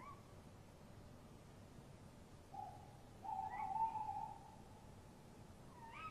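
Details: Male and female tawny owls answering each other at a nest box at night, March 2015, the female moving to a branch: low drawn-out hooting in the middle, with sharper, higher upward-flicking calls at the start and end.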